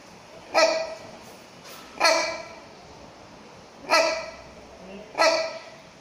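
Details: Captive rhinoceros hornbill, subspecies silvestris, at Chester Zoo: four loud, harsh, nasal honks repeated at intervals of about one to two seconds, each rising sharply then fading, over faint crowd noise.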